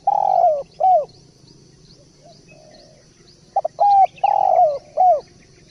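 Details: Derkuku, the spotted dove, cooing: a long falling coo and a short end note, a pause with distant soft twitters, then a quick double lead-in, a long descending coo and a final short coo.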